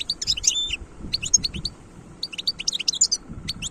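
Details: Wild European goldfinch recorded in 2022, singing bursts of bright, tinkling twitters and high liquid notes in quick jumbled phrases separated by short pauses, over a low background rumble.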